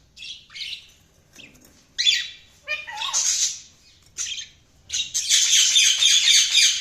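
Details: Pet budgerigars trading short chirps and squawks, including a lower falling note near three seconds, building into a loud, sustained wash of buzzy chattering warble at the end.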